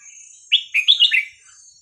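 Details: Clear Red-whiskered bulbul phrase in the style known as hua krok khayao khuat, for teaching young birds: five fast, rich whistled notes rolling up and down in under a second, crisp and loud against a quiet background.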